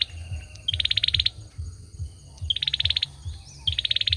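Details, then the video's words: Olive-backed sunbird male singing three quick high trills, each a brief clear note followed by a rapid string of about ten pulses, nearly 1.5 seconds apart, with low rumbling noise beneath. "Tiếng chim sâu dừa hót | Tiếng sâu dừa trống hót"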